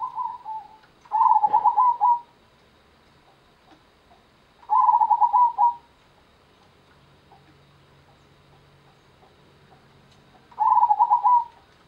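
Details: Zebra dove, local Indonesian perkutut, Gendowo Sabdo rhythm: loud rolling trilled coos of about a second each, repeated at intervals of three to six seconds, with a brief click near the start and quiet surroundings.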